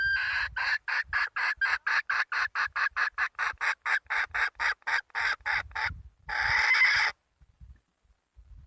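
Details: Wild red junglefowl hen calling: a fast run of about twenty sharp, evenly spaced clucks, then a brief pause and one longer harsh, noisy squawk before the calls stop.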